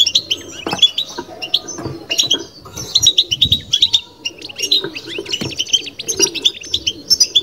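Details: European goldfinch kept indoors, singing batbata: continuous, busy twittering of sharp, high, slightly metallic notes in uneven bursts, with soft low bumps throughout.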